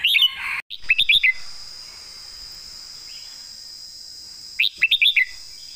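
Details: Red-whiskered bulbul master song for competition birds, with quick warbled notes at the start, then a long pause and a final run of four liquid notes, over a steady high insect-like drone.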